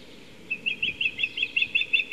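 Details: Female osprey on a nest camera at Skidaway Audubon, evening of 26 July 2017 at 18:59, calling insistently for a fish dinner: a rapid series of sharp, high whistled chirps, about five per second, after a brief quiet start.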